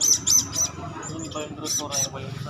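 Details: Young hand-fed Blue-crowned Hanging Parrot chattering. Short, shrill, buzzy chirps come in quick pairs and triplets, with soft thin squeaks between them. A low murmur sits behind.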